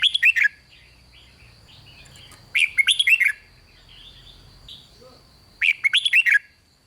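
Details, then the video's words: Excitement-inducing 'rik' song from a red-whiskered bulbul: three rapid bursts of five or six bright, bouncing notes, separated by quiet gaps with faint soft chirping and a steady high hum. "เสียงนกกรงหัวจุก ร้อง ริก ยั้วให้นกคึกดีมาก"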